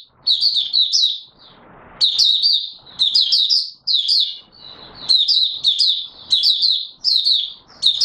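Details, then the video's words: Oriental white-eye (Mata Puteh Raja) in open song, recorded 24 March 2022: rapid high twittering phrases about a second long, separated by short pauses, with faint low background rustle. "Mata Puteh Raja Video 1 buka sing"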